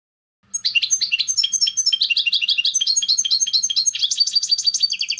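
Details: Extended European goldfinch song, a tumbling stream of rapid high chirps and tinkling notes that grows denser and faster toward the end.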